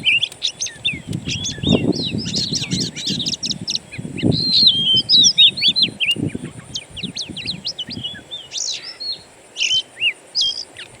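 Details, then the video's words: Oriental magpie-robin lure built from natural birdsong to make a kept bird sing: quick chirps and slurred whistles over low rumbling thumps, thinning to a few sharp spaced notes at the end. "PANCINGAN KACER; masteran burung alam sangatlah ampuh"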